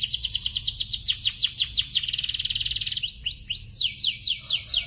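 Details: Canary in a young-canary tutor compilation sings rapid falling sweeps in a fast trill, then a pulsing roll and a few arched whistles. The falling-sweep trill returns at the end.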